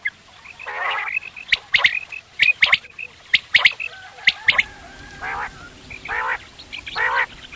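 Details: Quail calling, as used by hunters in the morning. A run of sharp doubled and tripled strokes with brief whistled notes, then several rough, nasal, harmonic bursts near the end.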